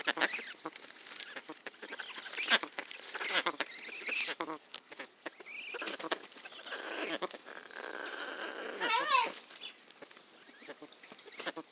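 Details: A pet Amazon parrot sitting on a bag of popcorn while being petted makes soft, varied chattering noises with short harmonic squawks and a brief rising-falling warble near the end, the bag crinkling throughout.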